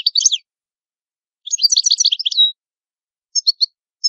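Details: Italian goldfinch (cardellino) song comes in bursts: a brief twitter, a longer tumbling phrase of liquid chirps ending in a short buzz, then a few isolated high notes.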